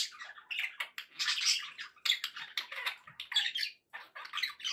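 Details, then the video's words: Pet budgies warbling and chirping in short overlapping bursts, scratchy and squeaky, with brief gaps between phrases; meant to keep pet parakeets company. "1 hour of budgie sounds for pet parakeets to make tham happy"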